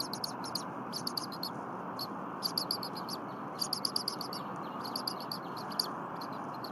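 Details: Bald eagle eaglet at the Berry College nest on the morning of 23 January 2022, calling as its mother defurs frozen prey it is not given. Thin high chirps come in repeated short bursts, softer and partly masked by a strong broad rushing noise.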